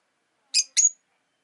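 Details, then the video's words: Rosy-faced lovebird giving a rapid pair of piercing high chirps, the second ending in a thin whistled tail. "Lovebird Chirping Sounds"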